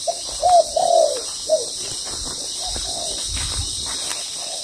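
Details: Spotted dove cooing during ground-decoy trapping; a few rounded, slightly falling coos cluster near the start, then fainter coos follow over a steady high background hiss.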